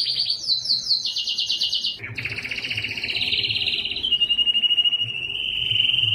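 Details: Belgian canary in full song: a very fast high trill dropping in steps, a brief pause, then a long rattling trill that glides lower and smooths into a sustained whistle; soft low hum underneath.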